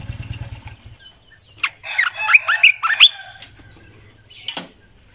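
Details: A short phrase of bouncy, slurred whistles from a decoy Red-eyed bulbul, about five notes in just over a second, with a low hum at the start and a sharp click near the end.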